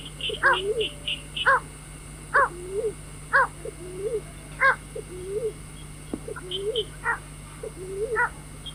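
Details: White-breasted waterhen calls used as a lure for night bird trapping: loud harsh stacked notes repeated about once a second, each paired with a lower bending croak, over a steady hum and thin high chirps from another bird.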